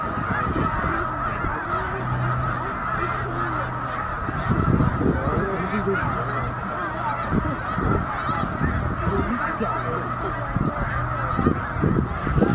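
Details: Snow geese massed at Middle Creek wildlife refuge during spring migration, around 100,000 birds: a blurred, continuous honking chorus, with a low droning hum that comes and goes beneath it.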